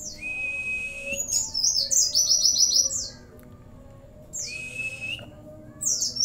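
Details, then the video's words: Pleci, or Oriental white-eye, in vigorous song with cililin fill and bren and cigun phrases: sustained thin whistles alternating with dense runs of rapid high descending chirps, repeated in bursts; faint low hum beneath. "pleci gacor isian CiLiLin sambung bren cigun"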